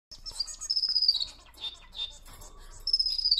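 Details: A male society (Bengalese) finch sings a high, thin, unusual song of buzzy chatter and long, drawn-out whistled notes that slide gently downward, with soft scratchy sounds in the background.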